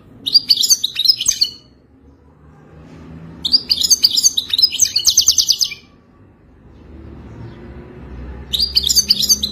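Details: Mating song of a European goldfinch, offered to help a captive goldfinch sing: three bursts of fast, liquid twittering with buzzy trills, spaced by quiet pauses of about two seconds.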